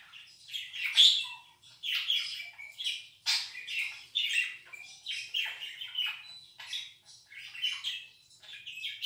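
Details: Pet budgerigar making a so-called laugh: a bright, rapid run of buzzy chirps and warbled chatter in bursts every second or so, with no other sounds.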